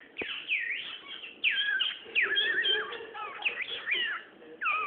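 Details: A cockatiel, while smooching, gives a run of bright, sliding whistles and warbling chatter, with one sharp smacking click near the start.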